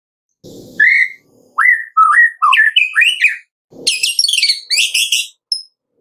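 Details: White-rumped shama singing in the afternoon, pouring out loud, varied whistles that swoop up and down, then a quick run of high, sharp chattering notes; two brief rustling thumps break in.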